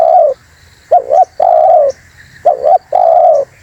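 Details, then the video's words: Spotted dove calling vigorously, in a recording played to lure birds: low, mellow coos in a steady pattern. A long drawn coo alternates with a quick double-note coo, the phrase repeating about every one and a half seconds. Faint steady high tones sound in the background. "MP3 Suara TERKUKUR GACOR"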